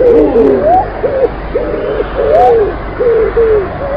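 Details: Pigeons cooing: a steady run of short, arched and gliding mid-pitched notes from several overlapping birds, about two each second, with no other clear sounds.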